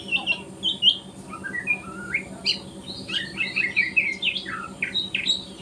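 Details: White-rumped shama juvenile in speckled plumage, learning its song in the morning, delivering a rapid, varied run of bright whistled and slurred notes, many rising, with short gaps between phrases.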